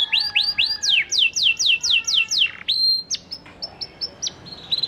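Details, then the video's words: Panda canary in full song, used to prompt silent canaries to sing back: a run of sharp, high downward-sweeping notes repeated quickly, then a pause and shorter clipped whistles with brief trilled ends. "PANCINGAN KENARI PANDA GACOR AMPUH UNTUK MEMANCING KENARI MACET BUNYIPUN BISA LANGSUNG RESPON NYAUT"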